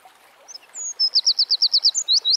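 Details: Eurasian wren singing in nature: a few thin high whistles lead into a rapid run of loud, sharp, high notes repeated about ten times per second, clean and bright.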